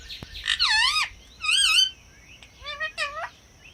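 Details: Parrot making mimicked sounds: two drawn-out, wavering nasal squawks, then a few shorter upward-bending whistled notes.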